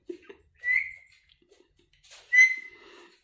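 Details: Pet talking parrot whistling indoors: two clear, thin whistled notes about a second and a half apart, with soft low clicks and murmurs between them.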